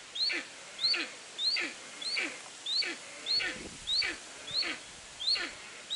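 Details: A captive steppe eagle at a zoo in Upie, Drôme, France, gives a loud, harsh, downslurred yelping call, repeated steadily about every half second in an unbroken series, with faint background hiss.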